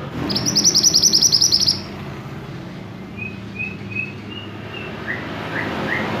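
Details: Silver-eye tutor song opening with a fast, buzzy, high-pitched trill of about one and a half seconds, followed by soft, spaced chirps and upslurred notes over a low background hum.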